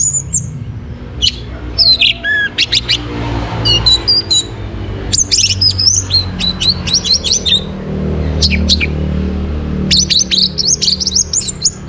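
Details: Morning song of an orange-headed thrush, played to bring birds into breeding condition: dense, varied high whistles, chirps and slurred notes in rapid phrases across the whole stretch, with a constant low hum underneath.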